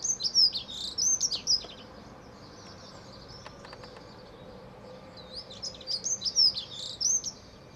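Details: Dunnock in song in a back garden on 9/4/14: two bursts of quick, tinkling, high warbling separated by a few seconds of quiet, each phrase about a second and a half long, with soft ticking sounds in between.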